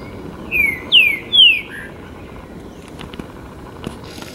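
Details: Trinca-ferro, the green-winged saltator, recorded 28 September 2017 in São Paulo's Botanical Garden, Brazil, gives three strong whistles sliding downward in quick succession and a brief low ending note, followed by quieter clicks and faint background calls.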